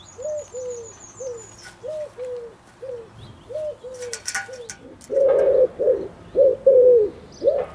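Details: Male common wood pigeon cooing in courtship to its female: a run of low, soft, hooting coos about four a second, growing louder toward the end; a thin high whistle from another bird opens.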